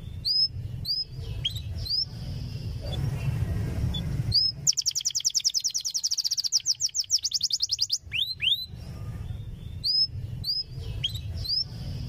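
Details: Tutor song of a canary, meant to prompt young canaries to learn: scattered bright upslurred whistles, then a long rapid trill of about three seconds, then more quick whistled chirps over a low steady hum.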